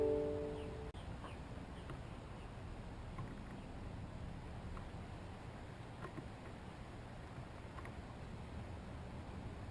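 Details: A brief musical chord fades out in the first second, followed by low, steady background rumble with no animal calls.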